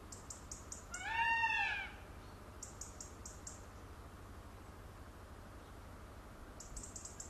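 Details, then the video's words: A peacock, displaying with its feathers opened, gives one loud, nasal, cat-like wail lasting about a second, rising then falling, amid short bursts of high, rapid insect-like ticking. "peacock sound"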